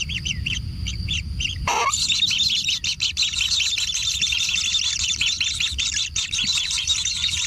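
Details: Kingfisher chicks at a natural nest: a few arched high chirps, then a sudden rustle, after which the calling turns into a loud, continuous, buzzy rasping chatter as feeding intensifies.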